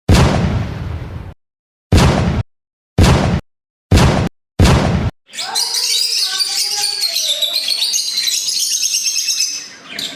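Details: Lovebirds, a breeding colony of Opaline, Green Fischer's, red-eye split, parblue split and peach-faced birds: loud thumping bursts, perhaps a man's voice, then shrill, overlapping squeaks and chirps from many birds chattering at once.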